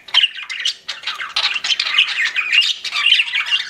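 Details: Chirping of pet budgies, a busy stream of raspy chatter, squeaks and short squawks packed closely together without a break.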